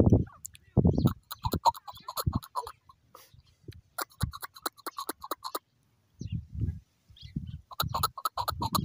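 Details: An excited male chukar partridge in good weather calls in bouts of rapid, clipped notes, breaking off briefly between them, with heavy low bumps and thumps in between.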